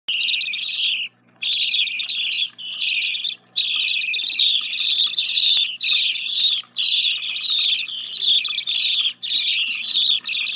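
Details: Baby budgerigars at feeding time, begging while being fed, with harsh, raspy, high chattering in long bursts broken by brief pauses.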